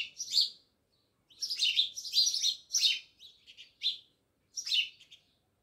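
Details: Several house sparrows by a village house at Jamnagar chirping loudly, one opening chirp then a rapid string of overlapping bright chirps, ending with a final pair.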